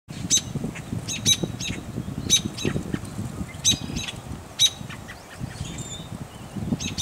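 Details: At a nest near Fisher, Minnesota, on 26 May 2010, American robin nestlings give thin, high peeping begging calls in short bursts about once a second, over a low rumble of wind or handling noise.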